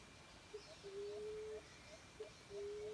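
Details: Emerald dove call broadcast from a Bluetooth speaker at a cage trap. Each call is a short soft pip followed by a long, steady, low hooting note. Two such calls are heard over a hiss of background noise.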